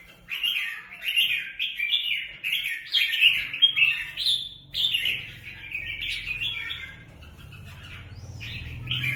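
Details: Free-ranging kept red-whiskered bulbuls fighting in Quang Nam, Vietnam: bursts of harsh, chattering high notes in quick uneven runs, overlapping and rising and falling, with a faint low hum in the background.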